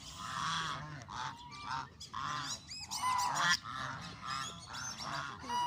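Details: A flock of Canada geese feeling hungry calls repeatedly. Short, harsh, nasal honks come in quick bursts from several birds, rising and falling in loudness.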